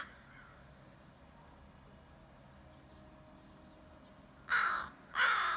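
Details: Crows calling back and forth: after a long quiet stretch of low background hiss, two harsh caws come close together.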